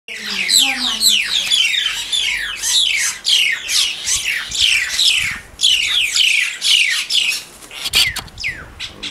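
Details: Mynas fighting: dense overlapping harsh squawks and downward-sweeping screeches, loud and continuous, with brief gaps near the end.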